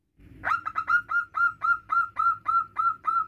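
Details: Local male zebra dove calling to its mate, giving a quick, steady series of around eleven purring coo notes at an even pitch, evenly spaced.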